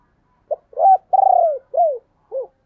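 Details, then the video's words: Spotted dove, 2022 recording of thúc and gáy gọi calling: one full phrase of five coos, a short opening note, a long rolling middle coo with a fluttery tremor, then falling notes to a soft close. "tiếng cu gáy/ thúc + gáy gọi mới nhất 2022"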